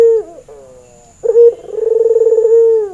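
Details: A falling coo tails off, then the white, red-eyed male Barbary dove, in breeding mood and recorded as a training lure, gives a fresh call: a sharp opening note, then a long trilling purr that flattens and slides down. A steady faint high whine is present.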